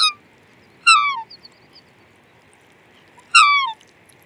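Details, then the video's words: Black swan calling twice in full after a clipped opening note. Each call is a ringing, harmonic honk that drops in pitch, with a few soft high ticks between calls and a faint constant hum. "Black Swan Bird Call"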